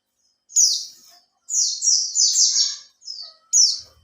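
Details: Captive Oriental white-eye, kept for three months and beginning to learn the tail-opening style, used as a lure to set other white-eyes singing: high, bright, rapid twittering phrases, a short burst, then a long run of linked notes and two brief bursts.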